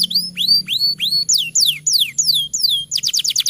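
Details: Canary master song intended to make young or lazy canaries sing: three upswept whistles, a series of clear falling whistled notes at an even pace, then a fast high stuttering trill.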